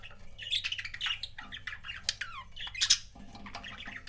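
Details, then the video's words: Pet budgerigar couple chirping indoors: dense, rapid warbling chatter of short buzzy notes and quick downward slurs, continuous over four seconds with a low background hum. "CUTE BUDGIE COUPLES"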